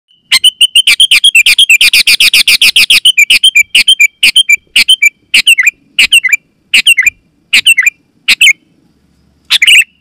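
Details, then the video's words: Sooty-headed bulbul, loud, clear call used to draw wild bulbuls in the forest and to set caged ones singing: fast run of bubbly, chirping notes, then separate short gurgling phrases repeated about every second. "Suara Burung KUTILANG GACOR,Super Ampuh Keras, Lantang dan Jernih, Burung Kutilang Lain Auto Gacor"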